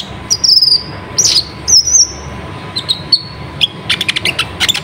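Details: Kolibri ninja sunbird singing as a lure to draw out other sunbirds; long thin high whistles with wavering slides, then a rapid burst of sharp ticking chips.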